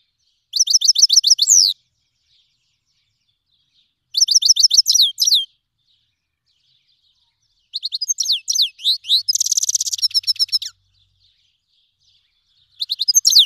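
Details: Iranian Himalayan goldfinch (black-headed cross) song in bright bursts of rapid, high tinkling twitters and buzzy trills, each lasting one to three seconds, separated by pauses.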